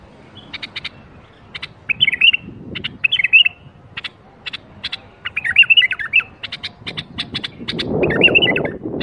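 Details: Bulbul performing 'berwaz' song to stir other bulbuls into singing: about four bright warbled phrases separated by bursts of dry clicking chips, with a low rumbling noise near the end.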